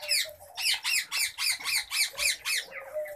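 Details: Pet Common babblers kept indoors give a quick run of harsh, squeaky arched notes, about four a second with a short break near the start, in a quiet indoor space.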